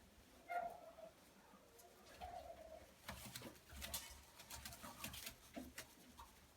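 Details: A Frillback fancy pigeon from a breeding pair gives two soft, low, throaty coos about two seconds apart, followed by scuffling, rustling and clattering noises in an enclosed space.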